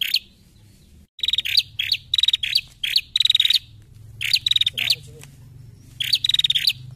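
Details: Bar-winged prinia female used as a training lure for other birds, giving loud bursts of fast dry ticking notes with short rising squeaks, phrases about half a second apart, steady low hum in the background.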